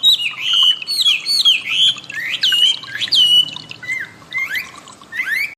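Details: Wambi singing as training material for cage songbirds: a lively run of bright whistled phrases, each sweeping up then down, with short twittering notes and upward-flicked whistles near the end.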